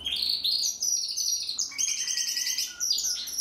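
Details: Rolling, tightly packed trills from a young Timbrado canary born in 2020, practising its song in long, nearly continuous phrases.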